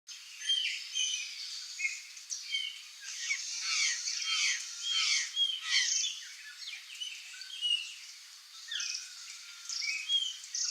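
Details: A flock of curl-crested jays (Cyanocorax cristatellus), wild in Brazil's Cerrado/Caatinga open and wooded areas, gives continuous overlapping chatter of short, harsh, high calls with some clearer whistled notes mixed in.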